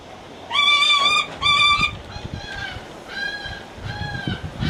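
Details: Lanner falcon at a bird park in Kakegawa making sweet, attention-seeking calls: two loud nasal wails close together, followed by several softer, fainter calls over a murmur of background noise.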